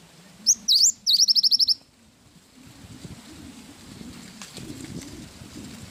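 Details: Cinereous tit singing with wingko fill: a single phrase of a high whistle, a V-shaped note and about eight quick piping notes, followed by several seconds of low rumbling background noise.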